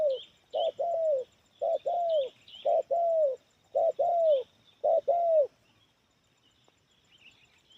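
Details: Spotted dove with a 'Kepala Sula' head, singing in a medium, loud 'kuk 1' style with many fill notes. Low, rounded coos come in pairs, repeated about once a second for five seconds. Faint high chirps of other birds sound behind.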